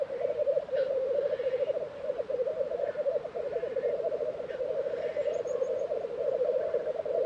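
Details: Black grouse at a lek in Tiveden, Sweden, April 2023: a continuous low bubbling, rolling chorus that holds steady throughout, with faint hissing notes and a distant high twitter over it.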